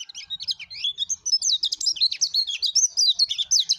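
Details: Pleci dada kuning, a yellow-breasted white-eye, sings gacor style, a fast stream of thin high sliding chirps and warbles pouring out without pause.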